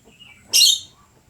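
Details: Lovebird singing very actively: one short, loud, shrill chirp after a faint thin whistle, with quiet surroundings.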